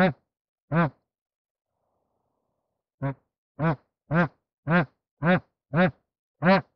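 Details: Bar-headed geese during mating give a series of about ten short, nasal, harmonic honks. The honks come singly at first, then settle into a steady rhythm of roughly two per second, with silence between them.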